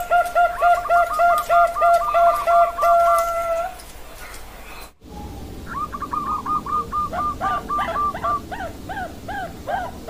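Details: Bangkok-type zebra dove (perkutut), 16 October 2023: overlapping strings of rapid whistled coos and higher clipped notes over a steady background hum, a brief break midway, then more cooing with rising, looping notes.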